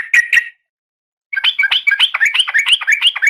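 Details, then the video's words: Female oriental magpie-robin in breeding condition calling the male, a captive bird. Two sharp chirps, a pause, then a quick run of bright, varied whistled notes that rise and fall. "Suara Kacer Betina"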